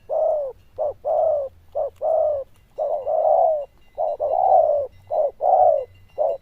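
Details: Bell-voiced zebra dove, loud and with good cooing, pouring out a dense sequence of warm, rounded coos. Longer notes alternate with short clipped ones, and a soft low hum runs underneath.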